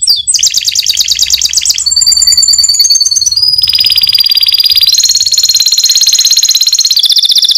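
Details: White canary in full 'gacor nembak' lure song meant to provoke other birds: long, fast, ringing rolling trills held for a second or more each, changing to new pitches several times, piercing and continuous.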